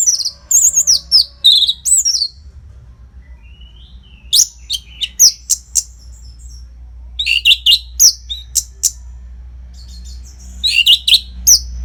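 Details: Orange-headed thrush, a kept songbird, in a training song for contest birds from northern Bali: bursts of high whistled and chattering phrases, rapid varied notes broken by short pauses, with a low steady hum underneath.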